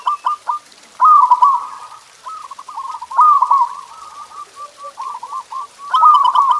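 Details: Zebra dove (perkutut) singing as a training recording for kept birds: a few short clipped coos, then three loud trilling phrases separated by strings of quick, evenly spaced soft coo notes.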